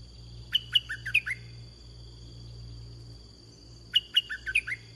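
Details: Repeated bulbul song: a red-whiskered bulbul in a decoy-luring session delivers two matching phrases roughly three seconds apart, each six bright whistled notes rising and falling, with steady low hum and high whine.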